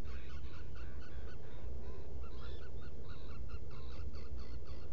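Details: Black guillemot calls inside a nesting burrow on Seal Island, Maine, before dawn in June: short, reedy, wavering notes repeated in quick bursts, several overlapping over a steady low rumble.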